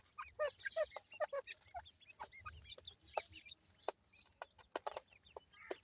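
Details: Ring-necked pheasant chicks play in soil, giving a quick series of clear mid-pitched peeps that rise then fall, with fainter high chirps and sharp isolated clicks.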